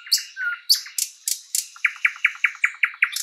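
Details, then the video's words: Sprosser singing in a spring forest, opening with sharp high notes and a low slurred whistle, then a steady run of rapid repeated clicking notes at about six per second. "Nightingale bird singing"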